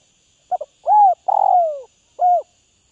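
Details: Spotted dove kept as a tamed cage bird from Northwest Vietnam, one full cooing phrase: a quick double note, a round coo, a long buzzy coo sliding downward, then a last short coo.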